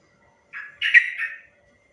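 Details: Sooty-headed bulbul giving a short long-rapid 'ropel panjang' style phrase used as master song to train other birds: three bubbly, slurred whistled notes over about one second, the middle one loudest, in a quiet background.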